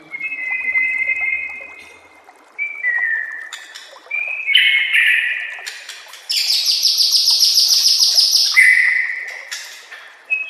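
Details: White-rumped shama singing a training master song: long pure whistles stepping between pitches, then dense rapid high rattling trills and sharp chips, delivered in a continuous, changing flow.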